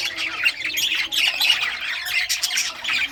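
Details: Rare-coloured pet budgies playing with toys, recorded June 18, 2023, keep up constant harsh chattering and squawky chirps, several birds calling over one another.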